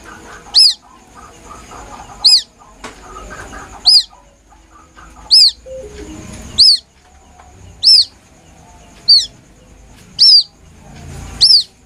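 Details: White-breasted waterhen chick giving a plaintive call used as a hunting lure: loud, high, arched peeps, each brief, repeated eight times at roughly one-and-a-half-second intervals over a faint, low background murmur.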